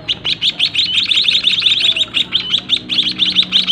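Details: White-headed munia chicks bred in a small cage and fed by their parents, giving rapid high chirping begging notes, about three per second in an unbroken run, with a faint low hum beneath.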